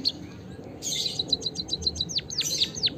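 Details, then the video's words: White-headed munia, or emprit kaji, chirping as a lure to get birds singing: a hissy burst followed by a quick series of clipped high notes and three louder, steeply falling chirps. "suara kicauan burung emprit kaji gacor pancingan burung pipit emprit peking bondol hajimu biar gacor"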